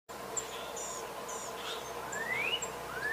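A northern cardinal gives two clear, rising slurred whistles late in the clip over a steady hiss, with a few faint high chips from other birds.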